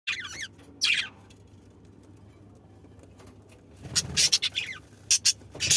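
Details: Pet budgerigars in an aviary give bursts of high, scratchy chirps and warbles, separated by quiet gaps.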